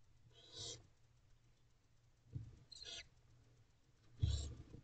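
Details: Barn owl chicks being fed by their mother in a nest box before dawn give three separate rasping hisses, each short and airy, spaced by quiet stretches with low rumbling.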